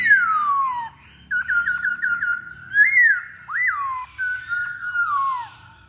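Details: Masked laughingthrush singing, played as a lure to make another bird sing: a loud downslurred whistle, a quick run of short clipped notes, then clear swooping whistles and a long falling phrase, in a quiet indoor setting.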